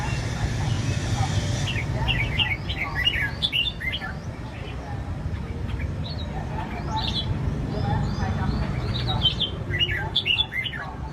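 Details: Several caged red-whiskered bulbuls raised for singing contests give lively chirpy warbles, loose clusters of quick bright notes, over constant low rumble and faint human voices.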